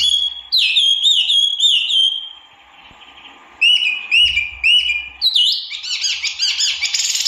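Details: White-eye, locally called tieu mi or wambi mini, gives a sustained wavering whistle. After a brief gap comes a run of repeated downslurred notes, then fast, dense twittering.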